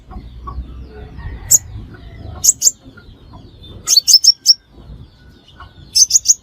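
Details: Crimson sunbird call used to lure birds into traps: scattered single high chirps, then two short bursts of three to five sharp notes, with soft low rumbling background.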